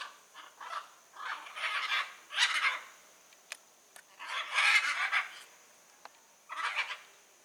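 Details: Blue-and-yellow macaw in the wild giving loud, grating squawks in clustered runs, several harsh bursts close together, then a pause before more, over a thin constant high background hiss.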